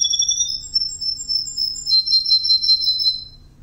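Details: Male Russian wild green canary singing: high, sweet whistled phrases that shift between pitches, then a bright rapid trill, all loud and clear over a quiet background.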